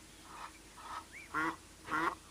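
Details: Egyptian geese at a waterhole sound the alarm by day as a black-backed jackal comes in to drink: four harsh, nasal honks about half a second apart, the last two loudest, with a brief rising squeal between them.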